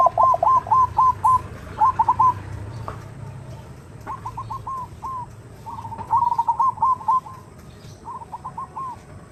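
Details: Female zebra dove calling a male, used as a lure call to prompt a reply: quick runs of short, clipped cooing notes, about five or six per burst, with a faint low rumble underneath.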